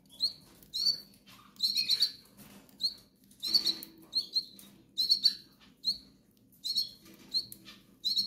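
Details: Begging calls of hungry goldfinch chicks: brief, shrill, high squeaks, mostly single or paired, repeated at uneven intervals of about half a second to a second over a soft low hum.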